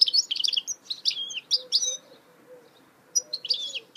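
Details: A singing goldfinch mule gives a loud, busy stream of high twittering, chirps and slurred whistles, pauses for about a second, then resumes. A soft low hum sits underneath.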